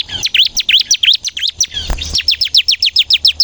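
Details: Bar-winged prinia singing energetically as a lure; bouncy looping chirps, a brief low thump, then a quick regular series of sharp downslurred notes.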